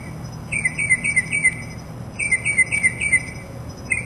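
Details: Mimicking mockingbird repeating two similar phrases of rapid, slurred whistled notes, each phrase sliding downward at its end, separated by a short gap, over a quiet low background hum.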